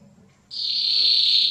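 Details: Male canary singing to excite females and prepare them for mating: after a quiet start, one sustained, steady, high whistled tone holds for about a second.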